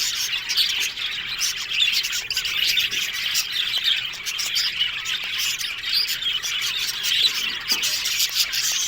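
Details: Many Australian budgies chattering in an aviary colony, rapid overlapping chirps and squeaky warbles forming a dense, unbroken high chorus.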